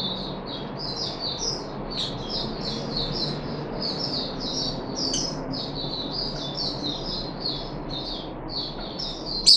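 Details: Puff-backed bulbul kept caged, third day of deworming in July 2021: an extended chain of quick, high, downward-sliding chirps, with a loud click at the very end, over a faint hiss.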